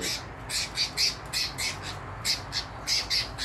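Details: Captive double-collared seedeaters at a breeder's aviary on a Sunday, 12 March 2023, around 2 pm, near the end of the season. They give harsh, high, squawky notes, about three per second in short uneven bursts, with faint room noise behind.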